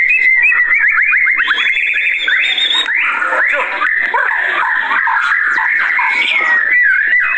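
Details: Fired-up white-rumped shama (murai batu) for luring and tutoring birds: a quick run of descending notes, then a long high whistle and a harsh, rapid jumble of scratchy and whistled notes.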